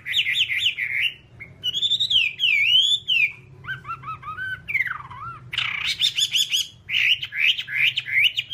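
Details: Whambie singing in a nonstop masteran recording meant to teach other birds: varied, rich phrases of warbled whistles, swooping slurred notes and quick trills, changing every second or two, loud and near, with a soft low hum beneath.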